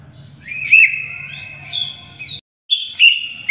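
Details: Greater green leafbird singing as tutor song for young birds: long sustained whistled notes with brief upward flicks, a short silent gap, then more clear whistles over a faint low hum.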